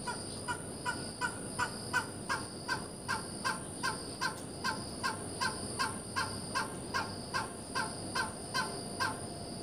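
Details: Oriental pied hornbill, parents with a chick, giving harsh, clipped calls about two or three times a second in a steady run, over a constant high background hiss.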